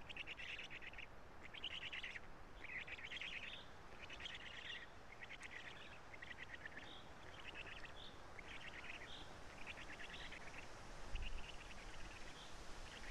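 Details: Black stork chicks in a nest in Karula, Estonia, late morning on 3 June 2017, being fed by the adult male, their voices recently changed; rapid raspy chirping bursts repeat about twice a second over steady background hiss.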